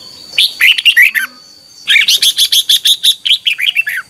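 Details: Red-whiskered bulbul duel singing in the morning, 'chè' voice, for stimulating other birds: a short warbled phrase, a brief pause, then a fast run of about a dozen repeated chirpy notes.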